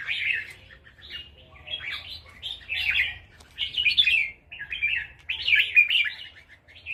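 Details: Red-whiskered bulbul from Loei province, Thailand, singing nap dok (counted-phrase) song. It pours out fast, chattering runs of warbled, bubbly whistles in quick bursts with short pauses between them. The background is quiet apart from a faint low rumble.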